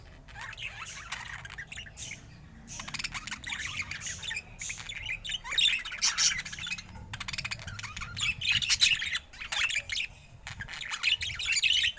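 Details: Budgerigars twittering in separate bursts of scratchy, squeaky chirps and short warbles, with quiet gaps between bursts and louder chatter toward the end.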